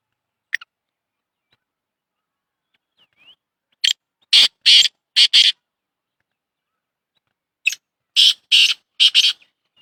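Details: Black francolin, called Shedi Sindhi kala tetar, repeats its harsh call twice about four seconds apart. Each phrase has a brief scratchy note, two loud grating notes and a closing pair, with quiet gaps and faint ticks between phrases.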